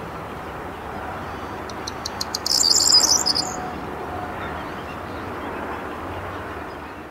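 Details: Corn bunting singing at 20:00 on 23 May 2022 in the Rheindürkheimer Spieß reserve near Worms, Germany: a short burst of fast ticks rushes into a high, sizzling jangle lasting about a second, then only a steady low rumble remains.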